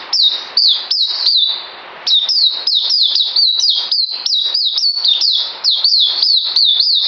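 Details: High, clear whistled song from a bird recorded on 9 December 2018: fast downward-slurred notes in two bursts separated by a short pause, the second run long and evenly paced.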